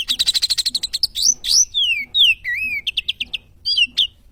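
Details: Sooty-headed bulbul song recorded as training material: a quick burst of high staccato chirps, then looping slurred whistles rising and falling, followed by short clipped notes and a final sharp chip.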